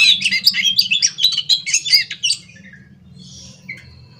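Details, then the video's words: Scaly thrush (anis macan) at morning in continuous ngerol song: a fast run of bright chattering whistled notes, about two per second, fading into quiet with a faint distant note and low hum. "kicauan Anis macan gacor ngerol"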